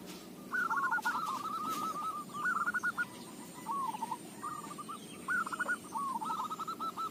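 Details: Local zebra dove recorded for use as a lure. It gives a long, rapid, rolling run of coos, pauses with scattered notes, then adds two more quick phrases, all over continuous background hiss.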